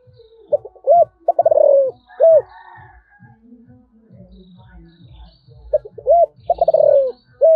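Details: Spotted dove calling in thổ voice: two phrases of short notes, an arched coo and a stuttering run into a long falling coo, separated by low repeated thumping background sounds.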